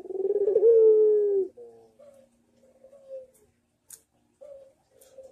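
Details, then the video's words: Barbary dove singing manggung, a master recording for training birds: a strong, pulsing, drawn-out coo lasting over a second, followed by several softer, shorter coos with gaps. "MASTERAN PUTER MANGGUNG GACOR - Suara Merdu Bikin yang lain ikut nyaut !!"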